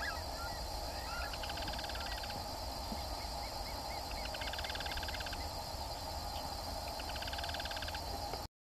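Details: Yellow-chinned spinetail (Certhiaxis cinnamomeus), call.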